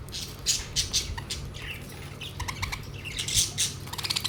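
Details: Several pet budgerigars around a food plate give dense, overlapping chatter. Harsh squawks mix with short rising whistles and rapid chirps almost without a pause.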